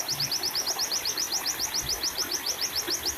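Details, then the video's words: White-eye used as a master and therapy recording for caged birds, singing a fast, even series of high, thin, down-slurred chips, roughly three or four per second, over soft background hiss. "burung pleci"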